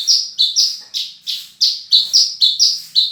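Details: Horsfield's bush lark singing a rapid series of high, bright notes alternating between two pitches, about two per second, each note falling off quickly, with a faint low hum underneath.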